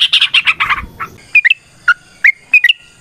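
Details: Yellow-vented bulbul in a long, rapid fighting song (ropel tarung) used as a lure to provoke other bulbuls to answer: a harsh chattering burst, then spaced, liquid bubbling notes dipping and rising.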